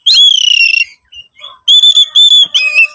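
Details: Short Oriental magpie-robin phrase used as a singing lure: a long, bright, sustained whistle that dips slightly, a pause with soft notes, then more steady ringing whistles.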